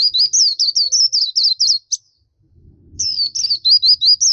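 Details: Rapid twittering by a black-capped white-eye in gacor masteran song, two bursts of bright, looping high notes separated by a short gap with soft low noise.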